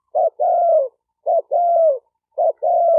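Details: Spotted dove giving steady coos, a brief opening note then a drawn-out, gently descending tone, three phrases in quick succession with no other sounds.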